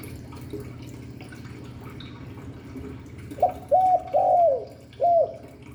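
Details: Quiet hum at first, then a spotted dove in Hạp Bổi voice style delivers four soft, arched coo notes in quick succession near the end.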